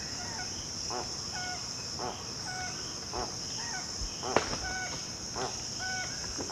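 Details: Spix's guan of Amazonian lakes and rivers, giving a series of rough, buzzy honks spaced roughly a second apart, alternating with brief clear whistles, while a continuous shrill insect chorus fills the background.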